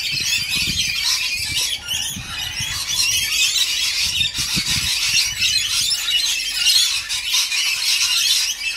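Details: Unbroken high-pitched screeching and chattering from a flock of rainbow lorikeets during feeding, mixed with low knocking and rumbling sounds.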